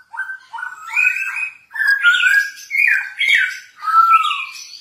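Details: Masked laughingthrush song used as a lure for training other birds: a run of loud, varied whistled phrases, some sliding up and others falling, given in bursts with short gaps.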